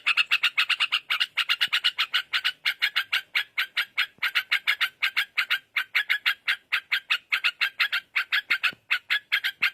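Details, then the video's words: Wild yellow-vented bulbul singing loudly and persistently: a rapid, continuous run of short bubbly notes, roughly five per second, with few brief pauses throughout. "Burung trucukan gacor mengelegar"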